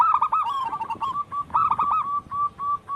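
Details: Local wild zebra dove cooing persistently: a fast tumbling series of soft staccato notes that spaces out into evenly repeated single coos toward the end.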